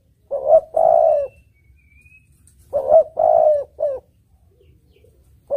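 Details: Spotted dove (tekukur) song for luring birds: two low cooing phrases, each a short note, a long rolling coo and a short tail note, spaced about two and a half seconds apart.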